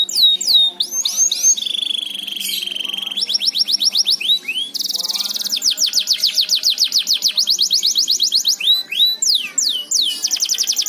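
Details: Canary song used as a lure to get other canaries singing; fast, varied tours of whistled upslurs, rapid rolling trills, a long steady high whistle, then dense buzzy notes repeated several times a second, continuous throughout.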